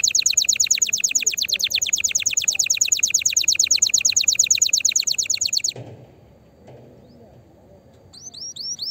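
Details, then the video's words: Excited canary singing to encourage other canaries: a loud, fast rattling trill for almost six seconds, then a pause and a few faint rising whistles at the end. "تغريد طائر الكناري هائج نار , لتحفيز على الغناء"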